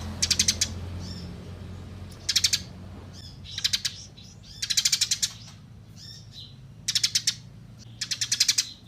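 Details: Eurasian tree sparrow in a clear training recording for songbirds: bright, harsh chirps delivered in quick bursts of four to six notes, separated by pauses of about a second, over a faint low hum.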